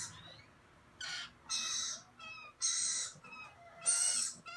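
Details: Gouldian finch, recorded 16 November 2017, giving short, thin tonal notes mixed with four loud, breathy hiss-like bursts spaced about a second apart.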